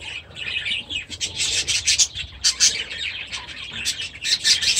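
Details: Aviary budgerigars with newly hatched chicks, 23 July 2017: a loud, continuous jumble of shrill chirps and grating warbled notes, several birds calling at once in uneven pulses.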